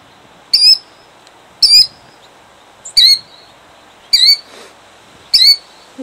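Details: Egg-guarding killdeer, Jackson, New Jersey, 2008, gives five shrill, strained cries with a wavering downward bend, about one every 1.2 seconds, against a quiet background.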